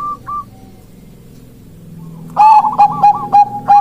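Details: A Bangkok zebra dove starts after a quiet stretch of low hum, giving a steady series of short, level cooing notes repeated several times a second.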